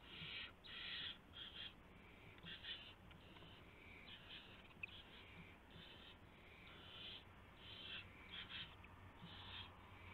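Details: Owl at the nest past midnight, 24 March 2016, during a gopher delivery; loud raspy hissing screeches in quick irregular bursts, some clustered closely and others spaced out, continuing through ten seconds.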